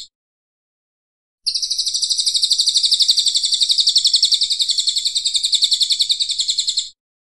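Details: A Brown Cililin in full song, recorded as a training track for contest birds, pours out a high, rapid chattering trill, close to four notes a second, running unbroken for about five seconds against silence.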